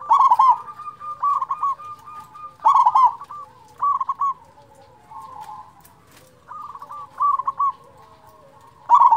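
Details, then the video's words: Lure song of a loud local zebra dove, intended to raise the mood and arousal of quiet or stressed zebra doves: sharp stuttered coo bursts alternate with softer, drawn-out rolling phrases at irregular spacing. "perkutut lokal suara besar cocok untuk pancingan perkutut malas bunyi"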